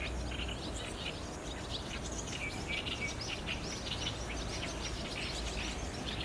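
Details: Barn swallows gathering at their roost under an overcast sky on 30 June 2019, filmed on a DSLR camera: a dense chorus of short, high chirps overlapping continuously, with a steady low rumble beneath.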